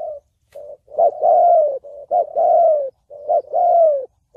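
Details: Spotted dove singing Vietnamese thổ bầu style for trapping and decoy training. Phrases run almost without a break: short hollow notes alternate with long, slightly falling coos, loud and close.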